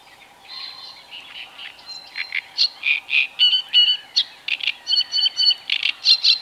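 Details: Great crested grebe and its young on Tovačov ponds, Czech Republic, 2013–2014: soft opening notes build into insistent repeated high piping, mixing buzzy squeaks and pure whistled tones, roughly four per second.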